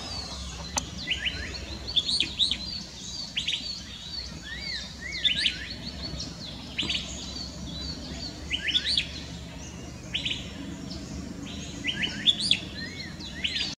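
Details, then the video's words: White-bellied treepie calling in forest at Thattekad Bird Sanctuary, southern India, in March 2019, giving bursts of sharp, metallic chirps and short sweeping notes in scattered clusters over a low steady background rumble. "White-bellied treepie ( Call )"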